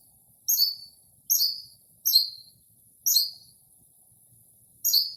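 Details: Early-spring nighttime song of a mimicking Northern mockingbird: a series of very high squeaky two-part notes sliding downward, repeated roughly every second, crisp in a quiet night without urban noise.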